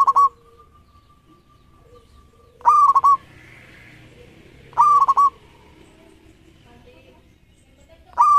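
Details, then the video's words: Zebra dove of a local strain with 13 tail feathers repeating its cooing song: clipped, ringing phrases of a held note and quick stutters, roughly every two seconds, over a soft hiss. "Perkutut Lokal Gacor Ekor 13"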